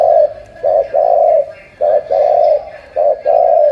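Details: Spotted dove from Cà Mau, Vietnam, cooing in a repeated phrase: a short coo, then a longer drawn coo, steady and mid-pitched, with phrases about every second and a quiet room behind.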